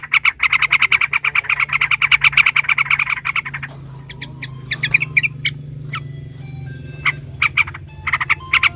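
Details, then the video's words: Sooty-headed bulbul stirred to sing by a rival's voice: a fast, dense stream of repeated chattering notes for about three seconds, then scattered short whistled phrases with gaps between them. "trucukan ropel panjang TARUNG PANCINGAN TRUCUKAN agar bunyi jadikan burung trucukan gacor EMOSI"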